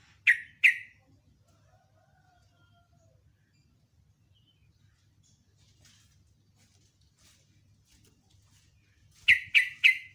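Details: In the morning, a sooty-headed bulbul in the style known as ropel, ngecruk and nembak gives two piercing down-slurred notes. Several seconds of near silence follow, then a quick run of three more.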